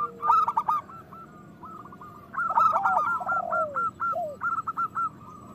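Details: Local zebra doves, used as a lure to stir breeding mood and song in quiet birds, give short trilled coos with bursts of rolling notes, pauses between phrases, and lower slurred notes dropping in pitch.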